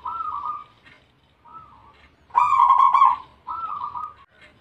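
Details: Zebra dove, Bangkok type, in full song: a series of four rippling, trilled coo phrases. The third phrase is the loudest and richest, and each phrase fades into a level, wavering tail.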